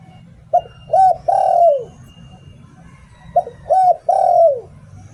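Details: Spotted dove serving as a decoy bird, singing "Liu Tan" style. Two phrases: a short coo, a rising coo, then a long mellow coo falling away, with quiet low hum behind.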